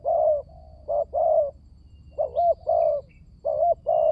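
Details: Spotted dove cooing, played as a lure so silent doves start calling: low hoarse double and triple notes, some with a quick hiccup, followed by longer coos, light high chirps faintly behind.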